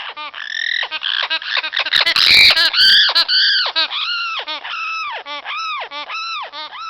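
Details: Female amazon parrot in spring, giving a rapid run of raspy, arched yelps at about two per second, broken briefly in the middle by a sharp clattering noise and higher squeaky notes.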